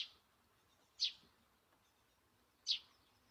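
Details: Great spotted woodpecker in a wildlife garden with bird feeding, giving three short, piercing high calls spaced roughly one and a half seconds apart, over a quiet background.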